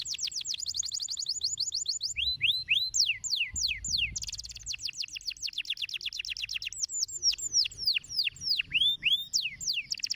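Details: Canary in stimulating song: fast high rolling trill, then repeated downward-swooping whistles, a rapid buzzy trill, and more loud descending slurs with sharp rising notes.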